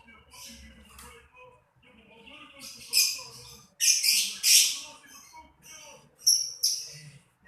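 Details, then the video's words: Chattering lovebird: scratchy bursts mixed with sharp, high, ringing chirps, several loud shrieks clustered in the middle and again near the end. "LoveBirt_Bunyi suara burung"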